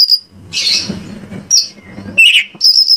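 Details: White-rumped shama song as a lure to trigger singing: a high whistle, a buzzy burst, then short whistled and descending notes over a low humming background.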